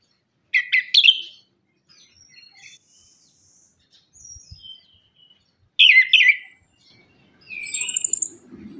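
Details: Orange-headed thrush lure song with sparse phrases: bright chirped bursts, thin whistles and a fast rattling trill, separated by silent pauses.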